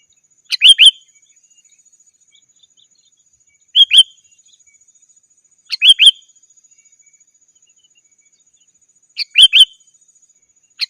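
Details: Sooty-headed bulbul calling rivals, used to lure wild birds in the forest: short bubbly two-to-three-note phrases repeated every two to three seconds in an uneven rhythm, clean background.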